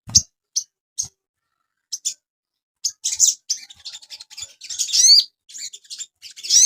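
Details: Asian pied starling master recording for training cage birds: scattered short high chirps, then a denser burst of varied buzzy and whistled notes with rising sweeps.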